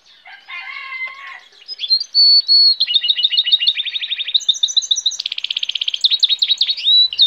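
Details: Goldfinch hybrid singing, probably caged: a few harsh low notes, then fast twittering trills and rapid repeated buzzy notes, high and varied, with a steady tone at the end.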